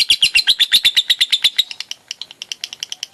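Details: Lovebird ngekek in konslet style, opening with a loud burst of rapid, high, ringing chirps that thin after about one and a half seconds into softer, spaced, fading notes.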